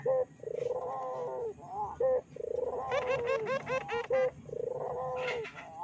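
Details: Barbary dove cooing as a lure to excite other doves. Short bright notes and long falling coos are followed by a fast, rolling run of bubbling notes, then a final drawn-out coo.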